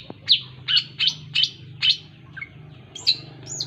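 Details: Long-tailed shrike giving a series of sharp, bright chirps about every half second, each a short downward-sweeping note, ending in a couple of higher thin whistles, over a steady low hum.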